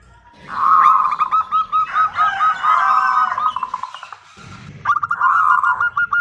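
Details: Female zebra dove calling to a male, used as a lure to prompt a reply: dense, overlapping runs of short, low, cooing notes, partly blurred together, with a brief pause near the four-second mark.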